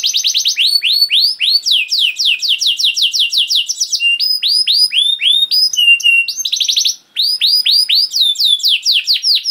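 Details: Long, continuous canary song meant to trigger other canaries to sing: dense chains of quick downswept whistles, metallic rattles and varied high phrases with only one short pause late on.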